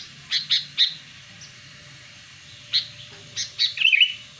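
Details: Wild sooty-headed bulbul, recorded for luring wild birds: sharp chirped notes in short clusters, ending in a rapid bubbling warbled phrase, over a faint low hum.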